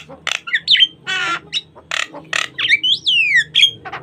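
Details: Lively jalak kebo (Javan myna) song, gacor and full of varied phrases, a clean natural recording used to lure and tutor other starlings; harsh buzzy rasps alternate with bright whistles and a long slurred whistle that rises then falls.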